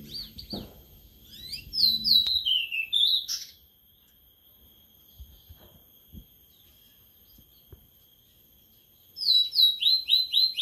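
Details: Sulingan laut (tledekan laut), newly kept and singing after three days: a high chattering phrase of sliding notes falling in pitch, a long pause with faint background knocks, then a fresh series of evenly repeated downslurred whistles.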